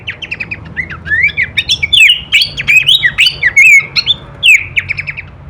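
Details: Horsfield's babbler masteran for songbird training, full kleperan variation: quick chips and rising whistles building into a loud, rapid chattering sequence of slurred notes, then fading into short chips, over a low hum.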